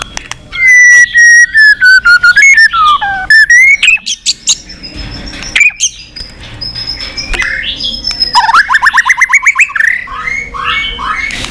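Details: White-rumped shama's many-voiced fighting song with tail flicking: loud strings of clipped notes, a descending whistled phrase, thin high tones, then a fast rising rattle of notes.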